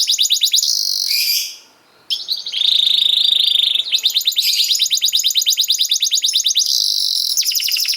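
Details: Canary song used to train young canaries: fast rattling trills, a brief pause, a long buzzy tone, then sustained rapid rolling trills in quick succession.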